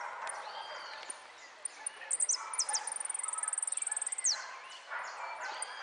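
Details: Saffron finch singing in the repique style at a first-place contest performance in Quilmes. Scattered high chirps lead into a fast, very high, evenly repeated trill of about twenty notes, ending in a descending note, over murmuring voices and background noise.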